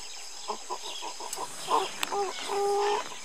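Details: Red junglefowl (Gallus gallus murghi) at Kaziranga, Assam, India, on 15 February 2017, giving a run of soft, low clucks, then a short nasal note and a steadier drawn-out tone at the end; faint background hiss.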